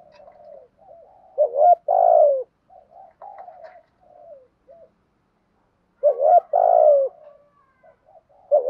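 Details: Spotted doves, male and female, call to stimulate training birds: soft low murmuring notes lead into loud, full, falling coos in two bursts several seconds apart, with quiet gaps between them.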